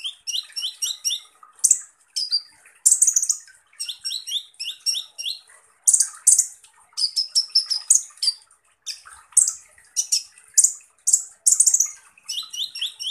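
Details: Van Hasselt's sunbird, known in East Java as kolibri ninja, singing continuous 'tembakan kasar' harsh shots: runs of rising whistled chips alternating with loud rasping buzzy bursts, almost nonstop.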